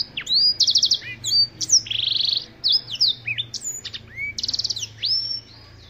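A Black-throated canary sings a fast, varied song of high sweeping whistles, buzzy trills and rapid chattering notes, with a faint low hum in the background.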